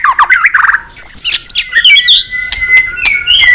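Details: Singing white-rumped shama, excited with tail-flicking: a quick stuttering run of mid-pitched notes, loud high ringing whistles, then a long steady whistled tone under repeated sharp clicks.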